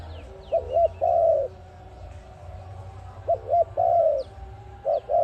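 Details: Low cooing of an ARIMIX dove, meant as a trap lure. Two full phrases of quick double coos ending in a long sustained coo, a third phrase beginning at the end; thin chirps of other birds and steady low rumble behind.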